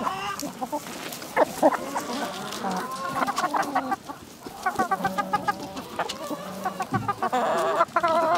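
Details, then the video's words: Several village chickens calling together in a rural yard: rapid, uneven series of short harmonic clucks, roughly four per second, with louder drawn squawks overlapping and a steady murmur of other fowl behind. "Dinlendirici Tavuk Sesleri Doğal"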